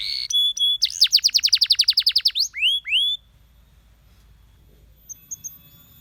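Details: Canary singing to encourage other canaries. Brief held tones come first, then a fast rhythmic trill of about fifteen notes and two rising whistles. After that it is nearly silent, with faint distant chirps.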